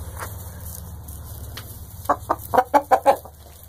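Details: Clucking from a group of kept chickens whose owner also has twenty smaller birds; after quiet background hum, a run of six evenly spaced, short, rounded clucks, roughly three per second, fading at the close.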